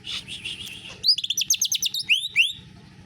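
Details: Canary-flavoured song of a greater green leafbird: a rough buzzy opening, then a burst of very high rapid notes and two clear rising whistles.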